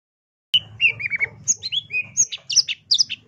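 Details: A long-tailed shrike sings a tembakan-style master song for songbird training. A sudden start leads into a fast run of varied whistles, slurred chirps and high sharp notes, with a low rumble behind them.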